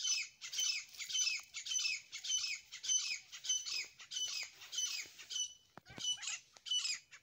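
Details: Loud harsh calling from a grey francolin pair (desi teetar): rasping, grating notes in a steady pulse, roughly two per second, sustained throughout, with a brief knock or thud near the end.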